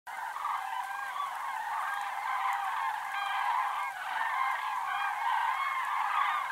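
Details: In autumn, a flock of common cranes (Grus grus) gives loud, rolling trumpeted calls, many voices overlapping in a continuous bugling chorus with no pause.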